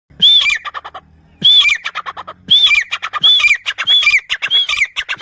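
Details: A grey francolin from a pair kept for training gives its hunting call. Loud, ringing phrases start with a high arched whistle, then drop into a rapid stuttering run of notes. The phrase repeats about four times after a pause.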